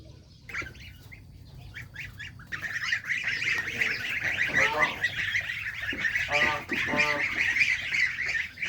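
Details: Farm geese, babies and adults, fed fresh green grass by a pond in the countryside; after a quiet start, loud nasal honks break out and repeat in quick, uneven bursts, some stuttering, over a low steady background rumble.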